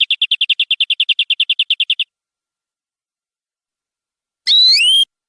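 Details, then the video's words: Canary in full gacor, nembak-style song, opening with a steady two-second trill of about twenty short, sharp notes. After a silent gap comes a single clear whistle that rises and levels off. "Suara Kenari durasi panjang"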